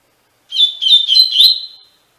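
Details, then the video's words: Tui Tui Fibra song of a double-collared seedeater, a recording for tutoring captive birds. It plays as a run of clear whistled syllables in four pulses that trail off into a long, thin tone. No other sounds are present. "Encarte para Coleiro e Baiano - Canto Tui Tui Fibra"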